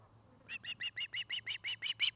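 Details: Osprey pair at a nest near Charlo, Montana, caught by a nest camera on the afternoon of 09-05-2018: after a faint start, a run of about eleven high whistled chirps, evenly spaced and gradually louder, with a low steady hum underneath.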